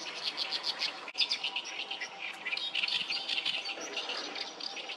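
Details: Oriental reed warblers crowd the Sawatari River soundscape on 7 June 2024 with dense, harsh, jerky chattering, phrases overlapping without pause and a brief click near the start.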